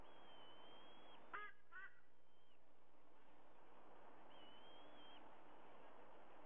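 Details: At a Sydney nest, 05:44 on 30 September 2022, a white-bellied sea eagle gives one quick pair of harsh honks; thin, high, drawn-out whistles from other birds sound before and after, over steady hiss.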